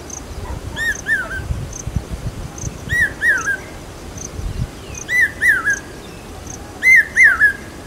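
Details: Common hawk-cuckoo (papiha, pawsha) calling loudly in Aurangabad during the monsoon, a call said to signal rain: four shrill three-note phrases, each note climbing then dropping, repeated about every two seconds over faint low rumble.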